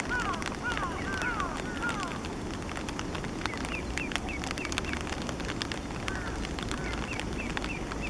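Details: Partly grown Eastern spot-billed duck ducklings swimming, filmed 5 July 2015 with a Canon PowerShot SX50 HS; thin downslurred peeping whistles, several in quick succession early on, then scattered fainter peeps over steady broadband rushing background noise.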